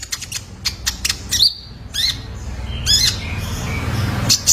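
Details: Juvenile male Kolibri Ninja used for cage-bird training: a few quick high chips, then harsher downslurred squeaky notes, spaced about a second apart, over a steady low background hum.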